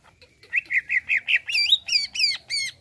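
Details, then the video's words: Greater green leafbird reacting to a played sound, giving a harsh run of about ten squawky, nasal notes, the first ones lower and flat, the later ones rising and more ringing. "CUCAK IJO LANGSUNG BEREAKSI DENGAR SUARA INI"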